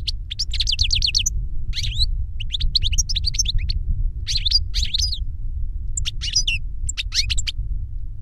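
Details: Goldfinch song meant to teach a younger bird: a quick rattling series of notes opens, followed by lively twittering phrases and chirps, against a low droning background.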